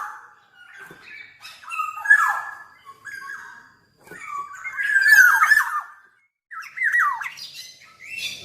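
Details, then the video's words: Black-naped oriole in energetic song, delivering bursts of rich whistled and warbled notes separated by short pauses, some phrases sweeping downward, with brief silent gaps between outbursts. "Burung Kepodang Super Gacor"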